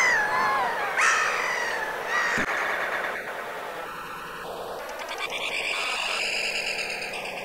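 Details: Black-headed gulls in winter plumage in the Vilaine estuary, Morbihan, on 22 February 2022 give harsh, nasal, downward-slurred cries early on, then a steady rough wash of background noise with scattered calls.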